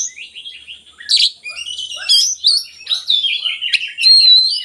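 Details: Oriental magpie-robin song played to coax lazy magpie-robins into singing: a rich, varied run of high whistles, sharp chips and buzzy flourishes, with loud bursts at intervals.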